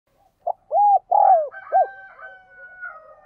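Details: Decoy spotted dove giving its urging coo to lure wild doves to the perch: one rhythmic four-note phrase, a short coo, two long rolling coos and a closing note, then faint, drawn-out whistling tones trailing off.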